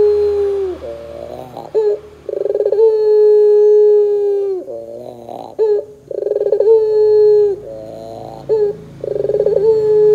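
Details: Repeated puter dove calling used as a lure to make doves sing: a series of long, even, low coos, each opening with quick pulses and ending in a downward slur, alternating with short laughing bursts.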